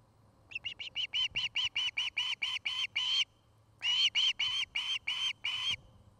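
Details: Osprey pair at their new nest in Charlo, Montana, caught on a camera during the afternoon. Two bursts of quick, shrill whistled chirps, the first about thirteen notes, the second about eight, with low thumps and hum behind.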